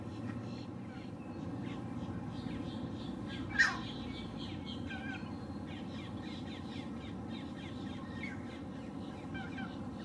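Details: A male Green Heron calling while perched, recorded with a Lumix GH6 and 300 mm lens, lets out one loud, rasping call midway, surrounded by a continuous chorus of chirping songbirds.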